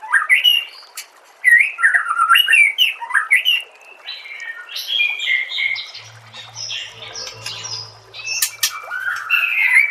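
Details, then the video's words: White-rumped shama (murai batu) song from a masteran training compilation: rapid, varied whistled phrases sweeping up and down, with sharp high ticks and chattering notes, brief pauses between bursts. "MASTERAN SPESIAL TAHUN INI AUDIO JERNIH KOMPILASI MEWAH UNTUK SEMUA JENIS BURUNG MURAI BATU"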